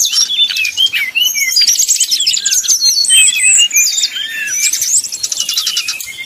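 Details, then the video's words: Brown-chested jungle flycatcher 'nyuling' song, meant to provoke rival birds: varied high whistles and buzzy trills in rapid succession, fading slightly toward the end. "srdc nyuling bikin lawan jadi panas penuh emosi"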